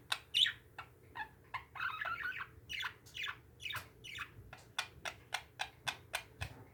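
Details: Several pet parakeets chatter with quick, sharp chirps and a burst of warbling squawks, steady and repeated, with a low room hum underneath.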